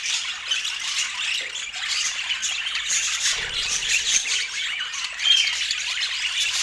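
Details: Several rainbow budgies with apple keep up continuous high, fizzy chattering and squeaky chirps, one clear short whistle near the end.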